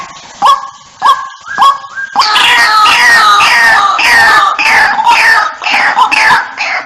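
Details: White-breasted waterhen lure call, used to draw waterhens to gather: three sharp rising notes, then a loud, harsh, rich series of falling croaking notes repeated about twice a second.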